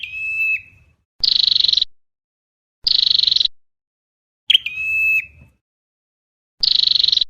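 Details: Whistled notes with abrupt flicked ends from a red-headed flowerpecker alternate with three pulsed, buzzy rattles in a lure meant for catching birds.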